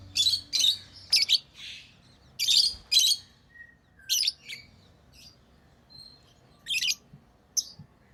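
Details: Pet lovebirds in a busy run of piercing, scratchy chirps, several bursts packed into the first three seconds, then sparser sharp notes and a faint short whistle, over a low steady hum.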